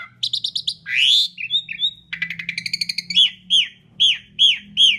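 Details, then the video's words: Asian pied starling singing loud and long as a lure for other birds: quick clicks, a rising whistle, a buzzy rattle, then a steady series of falling whistled notes. "Kicau Jalak Suren Gacor Paling Nyaring - Durasi Panjang ISIAN FULL ROLL cocok untuk PANCINGAN"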